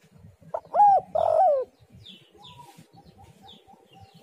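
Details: Spotted dove, called tekukur or derkuku, giving its lure call: two loud hoarse coos, a brief rising note then a longer falling one, followed by quiet background with soft chirps of other birds and low rumbling.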